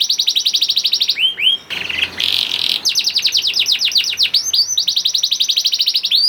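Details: Canary lure song from a young bird ('kenari paud') played to spur slow canaries into singing: fast even trills interrupted by a brief noisy burst, then rapid descending note series and more rolling trills.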